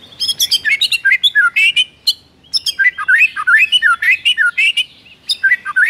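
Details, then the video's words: White-rumped shama in full morning song, rich in mimicry: loud, varied bursts of clicks and chips mixed with quick rising and falling whistled notes, delivered almost without pause. "MURAI BATU GACOR ISIAN MEWAH"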